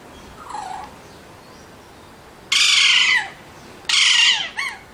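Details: Alexandrine parakeets letting out two loud, raspy screeches that slide downward in pitch, each about half a second long, followed by a short sharp squawk and a quieter soft note earlier on.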